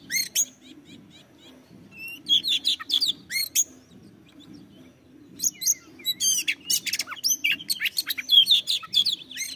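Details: Oriental magpie-robin song intended to stimulate other birds: brief ticking notes, a burst of whistles, a near-silent gap, then a long rapid series of sharp chips, buzzes and whistles over a low hum.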